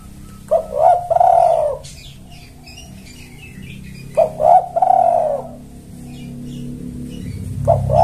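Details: Spotted dove used as a lure to call in males, giving two bursts of low, hoarse cooing: short stuttered notes swelling into a longer drawn-out coo, repeated about four seconds apart over quiet background hum.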